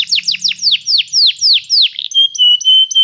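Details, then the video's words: Canary song played to train a canary: a run of loud, clear notes sliding downward, each repeated at a steady pace, then a change to long, level, pure whistled tones. "cantar canário faz seu canário cantar"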